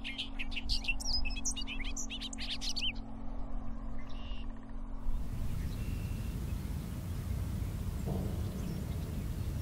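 A Bobolink gives about three seconds of bubbly, tumbling song of jangling notes at high and low pitches. A low hum follows, then steady wind rumble.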